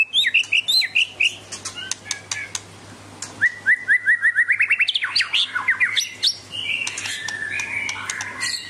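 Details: White-rumped shama of the Medan type in full, lively song: sharp clicks, then a fast run of repeated rising whistled notes, followed by varied warbling phrases and drawn-out whistles, over a faint low steady hum.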